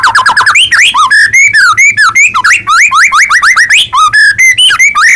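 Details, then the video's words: Actively singing white-rumped shama, played to stir other shamas into song: a continuous, varied stream of loud whistled notes that swoop up and down, with quick slurred phrases following one another without pause. "murai batu gacor AMPUH buat PANCINGAN murai batu agar bunyi JADIKAN burung murai gacor EMOSI"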